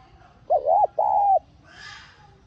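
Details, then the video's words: Spotted dove call meant to excite a decoy bird into cooing: one short wavering coo then a longer steady hollow coo, followed by a faint, breathy high sound. "Tiếng Cu Gáy Hạp BổI [ TGÁY GỌI ] Kích Bổi Nhanh Nổi"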